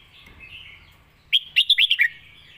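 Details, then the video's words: Red-whiskered bulbul singing the 'Lak Wai' song: faint background chatter, then one crisp phrase of six quick whistled notes that rise and dip, ending slightly lower. "นกเสียงทอง!!เพลงลากหวาย สุดยอดเพลงแม่บท#นกกรงหัวจุก"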